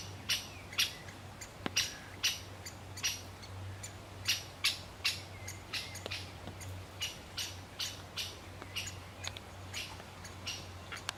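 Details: Great spotted woodpecker, a male feeding its chick, repeats loud, dry, clipped call notes roughly twice a second over eleven seconds, with a steady low hum beneath.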